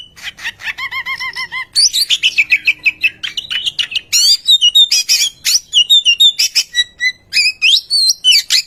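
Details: Oriental magpie-robin song as a lure to set other birds singing: a long, varied, fast medley of chattering trills, whistled slurs, harsh scratchy notes and short pure whistles, delivered almost without pause.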